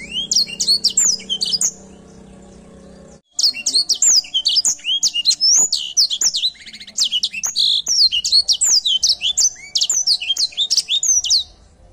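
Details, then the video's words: Singing Edel Sanger canary delivering a long, almost unbroken run of rapid high chirps and sliding whistles, briefly stopping after about three seconds before continuing energetically. "Edel sanger gacor"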